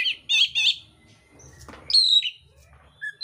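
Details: Oriental magpie-robin of the mintal type in fighting song with rough filler phrases: short harsh buzzy notes around the opening, a noisy burst midway, then clear high whistles sliding down, separated by gaps.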